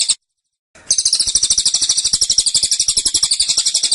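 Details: Velvet-fronted nuthatch kept in a cage, singing a dense, insistent tembakan burst: a brief note, a half-second silence, then a sustained high, rapid stream of sharp chattering pulses running to the end.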